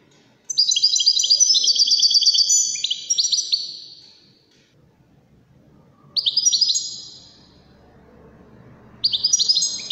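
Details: European goldfinch, Wedani song style, Morocco: a long dense stretch of high jingling twitters, a pause, then two brief bright bursts of song.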